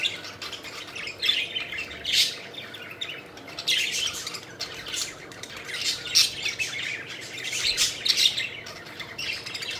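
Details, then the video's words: A group of pet budgerigars chirping while playing, with rapid scratchy squawks and chirps overlapping in a steady, noisy chatter and louder peaks every second or two. "Budgies Having Fun: Playful Birds Flying and Chirping Joyfully"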